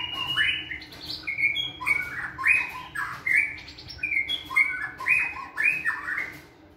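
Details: Energetic white-rumped shama song during flight-cage training: dense, repeated, scratchy warbled phrases about every half second, loud and continuous throughout.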